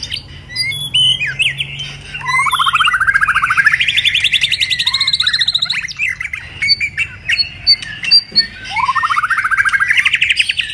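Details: White-rumped shama in moult, singing the pipe-tobacco style: clipped chirps lead into rising rapid trills, a rattling run at high pitch, a pause with mixed notes, then another trill that sweeps upward.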